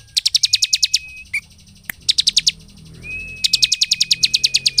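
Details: Bar-winged prinia, played as a lure to provoke other prinias into singing, pours out bursts of sharp, high notes, about eight a second, in runs of roughly a second, over a thin, steady whistled tone.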